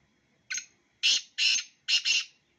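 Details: A black francolin gives its rhythmic call: a brief clipped opening note, two broad scratchy notes, then a double-pulsed grating ending, with little background noise.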